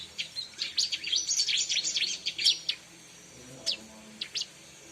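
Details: Bar-winged prinia (ciblek) sounds for lure trapping: a fast, dense chattering string of high chirps lasting over two seconds, then a few isolated sharp notes after a quiet gap.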